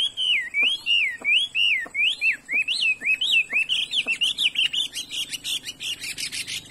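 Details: Chinese hwamei, a good-voiced 'đảo' bird offered for sale, singing loud rich whistled phrases that rise and fall in a rapid repeated series, about three per second, then faster sharp high notes at the end.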